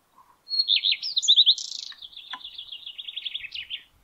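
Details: Male common redstart singing from the top of a spruce in May 2022, in Denmark: a clear high whistled opening note, then a rapid, varied series of twittering, buzzy and scratchy phrases over about three and a half seconds, with a quiet background.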